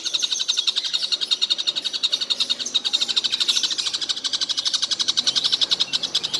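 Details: Ceaseless high-pitched chatter of a collared kingfisher calling all day long: rapid, buzzy, closely packed notes that run continuously for over six seconds.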